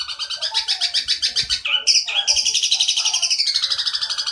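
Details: Long-tailed shrike song from a training recording filled with mimicked phrases: a fast, dense run of bright chattering notes, several per second, shifting into a higher, scratchy trilled passage, with no other sounds.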